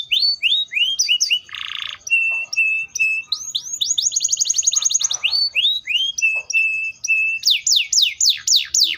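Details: Canary (Serinus canaria) singing a varied phrase: rising chips, a harsh buzz, level whistles, a fast rolling trill, and a closing series of loud upslurred whistles.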